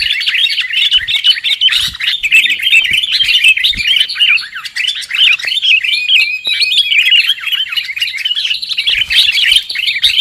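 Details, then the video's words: Chattering lure call of sooty-headed bulbuls for bird trapping: a long, dense tangle of quick chirps, trills and bubbly notes with no real pauses. "Suara PIKAT Burung KUTILANG"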